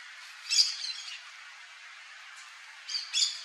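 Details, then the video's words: Shrill, harsh squawks of a yellow-chevroned parakeet (Brotogeris chiriri), one loud call trailing into softer chatter, a pause, then a paired burst of screeches. "CANTO do PERIQUITO-DE ENCONTRO AMARELO (BROTOGERIS CHIRIRI), YELLOW-CHEVRONED PARAKEET."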